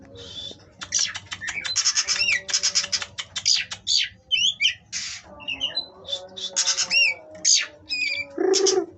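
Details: Captive Oriental magpie-robins at a breeding farm in Kroya village: a dense run of harsh, buzzy rasping notes mixed with short upslurred and downslurred whistles, delivered in rapid bursts with brief pauses, ending in a lower hoarse note.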